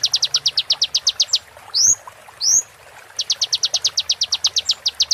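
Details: Rapid, high, evenly spaced ticking trill, interrupted by two loud, sharp upslurred whistles before the ticks return, from a kolibri ninja sunbird tutor recording played during moult.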